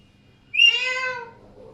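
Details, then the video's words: An Alexandrine parakeet gives a single loud, nasal squawk, sharp at the start and then drawn out and slightly falling, lasting under a second in a quiet room. "Alexander parrots making beautiful sounds"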